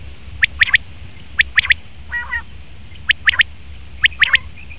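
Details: Repeated triple-note calls from a male common quail, each burst three fast sharp pips, separated by short pauses; a brief faint chattering note sits in the middle gap.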